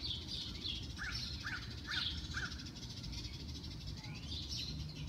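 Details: Spring dawn birdsong with high chirping phrases and a few lower, harsher notes spaced about half a second apart, over a constant low background hum.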